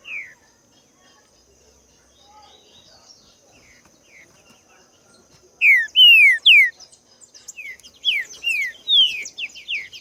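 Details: Wild green-winged saltator; mostly quiet at first, then from midway loud downward-sliding whistled notes in quick bursts with high twittering overtones, over a steady thin high hum.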